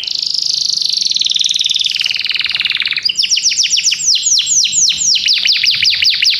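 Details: Belgian canary singing: a long fast buzzy trill held high, dropping slightly, then a rapid series of sharp descending whistled notes repeated about four per second.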